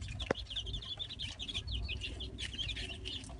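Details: Young Light Brahma chicks in the coop giving quick, high-pitched peeping notes in a busy overlapping flock, one sharp knock near the start and steady low background hum.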